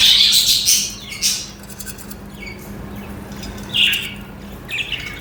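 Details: Budgies (parakeets) chirping: a loud scratchy warbled burst at the start, then sparse short squeaky chirps and a rising note separated by quieter stretches. A low hum is present in the background.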